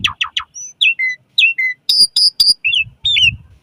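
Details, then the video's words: Asian pied starling song for training caged birds at morning and evening: quick descending chirps, then whistled slurred notes, sharp high metallic clicks and looping whistles, with faint low rumble. "Suara Kicau Jalak Suren"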